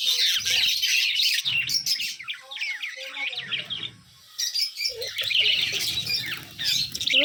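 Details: Budgerigars chirping on 13 December 2022 in sunlight: a dense mix of high, rapid warbling chirps and squeaks, with a woman's voice speaking softly underneath.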